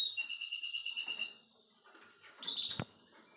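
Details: Nine-year-old male Russian canary singing to his grandchildren: just over a second of bright, pulsing high trill, a quiet gap, then a short sharp burst with a click.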